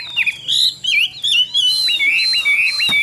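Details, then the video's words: Chinese hwamei kept caged in Vietnam and called a good singer with a fine voice. A short burst of clear, looping whistles and slurred notes, some rising and some falling, sung loud and close. "Họa Mi Dáng Dấp Bóng Bộ Đẹp, Hót Tốt Giọng Hay"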